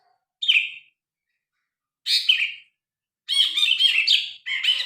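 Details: Grey-cheeked bulbul in full song, recorded on a phone as a tutor track for other birds: a short bright note, then a loud slurred phrase, then a longer chattering burst and a final phrase, with silent gaps and no background noise.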